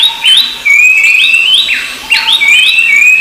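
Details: Rufous-browed babbler whistling brief upward-sliding notes, each trailing into a thin steady tone. Two main bursts are separated by a short dip.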